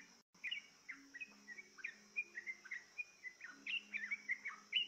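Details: Yellow-vented bulbul coaxed to sing with a lure: a lively string of short, slurred, warbling notes in fairly even bursts. A constant high-pitched insect drone runs beneath, with faint low hums.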